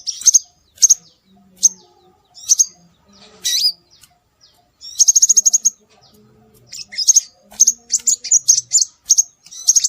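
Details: Scarlet minivet calls played to lure birds. Spaced single high chirps open the sequence, followed by a rapid, even trill of sharp notes midway. Busier runs of bright, whistled chirps close it, with faint low murmurs behind.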